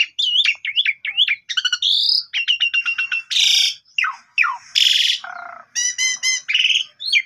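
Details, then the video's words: Javan pied starling in full, vigorous song, captured on a vivo phone as a morning lure for silent birds. A rapid varied medley of warbled whistles, grating harsh bursts, chattering runs and nasal harmonic notes. "PANCINGAN WAJIB TIAP PAGI !! JALAK SUREN BISU LANGSUNG GACOR MOMPA"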